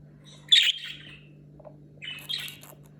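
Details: Budgerigar calls recorded before and after talking: a loud, sharp squawky chirp trailing into a softer scratchy tail, then a quieter second phrase of rough chirps about one and a half seconds later, low hum underneath.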